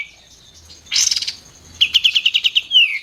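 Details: White-eared bulbul, sung as a master for contest birds: a buzzy burst, then a rapid evenly spaced string of about nine sharp whistled pips ending in a downslurred whistle.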